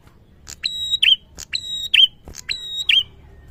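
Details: Prinia, a male in full song, repeats one phrase three times about a second apart: a clipped note, a sustained high flat whistle, then a quick falling chirp. Low hum behind.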